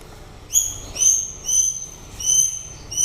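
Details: White-rumped shama near the end of its breeding season, giving a series of five high, pure whistled notes, each slightly rising, spaced roughly half a second to nearly a second apart, with faint low background hum.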